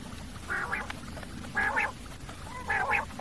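Common quail giving a short three-note phrase, repeated three times about once a second, over a low background rumble.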